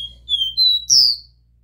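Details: Copper seedeater singing the pure 'Dó Ré Mi' song style, used to stimulate a captive bird: three pure whistled notes climbing step by step, like a do-re-mi scale, the last one loudest and brightest.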